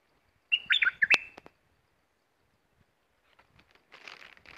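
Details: Caged red-whiskered bulbul kept as a fierce competition bird and used as a decoy for wild birds, giving one quick bubbly phrase of warbled, up-and-down notes. A second, softer burst of chatter follows near the end.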